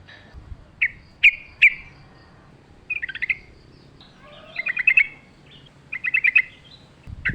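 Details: Wild-style sooty-headed bulbul song with natural background: scattered sharp single chirps, then short rattling bursts of three or four bright whistled notes separated by pauses.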